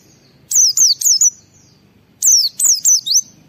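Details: White-eye in full ngalas song, used to stimulate other white-eyes to sing: two clusters of four shrill, downward-sweeping whistles in quick succession, with a quiet low background between them.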